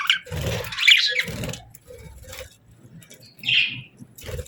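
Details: Pet budgies chirping softly: a busy, scratchy warble that rises and falls, mixed with low rustling and a brief clear chirp near the end.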